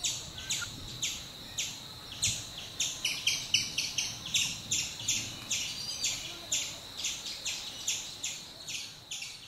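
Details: Black-rumped flameback giving a long series of harsh, scratchy notes repeated a little over twice a second, steady and even, over a faint hiss of background noise.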